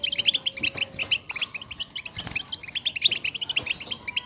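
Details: European goldfinches chatter in a group to excite other goldfinches to sing: fast, ringing high chirps in close series, a faint steady whistle tone in places.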